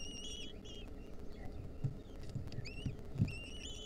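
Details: Wild lesser kestrel nestlings receiving a mouse from their mother, 2023: faint, short, high squealing begging notes scattered through the clip, some rising, against low rumbling and soft thumps.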